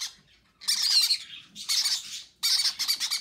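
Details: Baby conures being fed by their parents on February 6: drawn-out, harsh, buzzing squawks, three long raspy bursts with a rough wavering texture.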